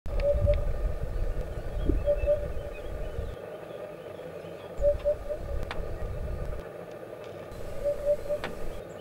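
Eurasian hoopoe giving soft, low hollow 'oop-oop' notes in short bursts about every three seconds, over a steady low rumble of distant traffic.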